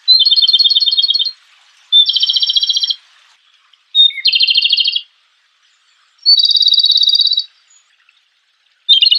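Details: Wild Japanese robin, or komadori, singing in the open: five loud, high trilled phrases, each a rapid rattle of notes lasting about a second, separated by short silent pauses.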